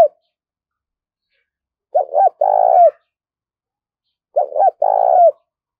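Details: A captive spotted dove used as a lure bird gives two low cooing phrases, each a couple of quick notes before a longer drawn-out coo, about two and a half seconds apart; nothing else is heard.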